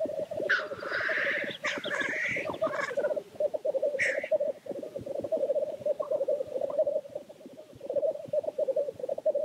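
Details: Black grouse at their lek, with dense bubbling rookooing rolling on throughout, a burst of hoarse hissing and chattering early on, and another short hiss near the midpoint.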